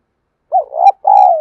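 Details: Spotted dove used as a decoy to provoke wild rivals, giving a 'thổ' style coo: a short rising-falling note, then a broken, throaty two-part phrase ending in a long, steady, mellow coo, with no other sounds.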